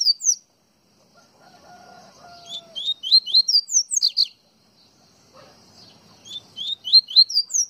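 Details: Coleiro baiano from Pernambuco, the double-collared seedeater, sings repeated phrases of crisp upslurred chirps that climb to shrill high notes, with short quiet gaps between bouts.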